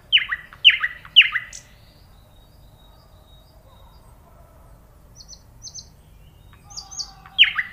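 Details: Three strong nightingale phrases with swooping, full-toned notes, then a long quiet stretch with a few faint high notes. A final loud phrase closes the clip.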